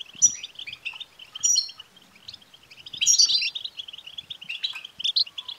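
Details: European goldfinch batbata twitter played to stimulate a caged male goldfinch: steady high, scratchy chirping, punctuated by a few bright, ringing whistled phrases and a louder trilling passage in the middle.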